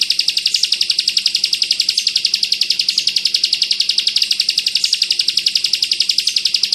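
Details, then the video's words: Bar-winged prinia in the dense rapid-fire song style called bren rapat, used as a tutor recording for white-eyes: an unbroken stream of high, sharp, evenly spaced notes pulsing several times a second, steady in loudness, with a faint low hum beneath. "Masteran burung ciblek kristal bren rapat ak 47"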